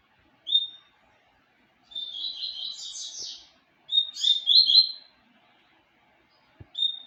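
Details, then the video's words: Seedeater known as papa-capim, named Tempestade, delivering a whistled opening note followed by a long buzzy, trilled passage climbing higher, then brighter whistled phrases; quiet surroundings. "papa capim Tempestade"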